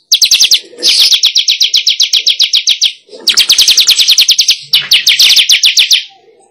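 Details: Wild-weaver attracting lure: dense, sharp high chirps delivered rapidly in three long bouts with brief gaps, steady and insistent throughout.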